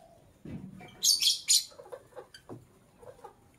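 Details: Lovebird in the morning giving a quick cluster of three loud, shrill, high-pitched chirps, then softer scattered twitters and low murmurs.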